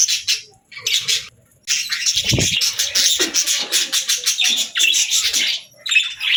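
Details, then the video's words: Budgerigars singing: bursts of chirping, twittering warble separated by short gaps, with a few low knocks and soft thuds in between. "Budgies Singing"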